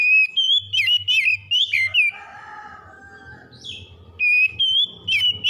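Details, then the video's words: Oriental magpie-robin morning song, played to calm stressed birds: loud, clear whistled phrases with rising and falling slurred notes in rapid bursts, a quieter soft warbling pause midway, then fast whistles resume. "PEMULIHAN KACER SETRES DENGAN KICAUN PAGI CEPAT GACOR"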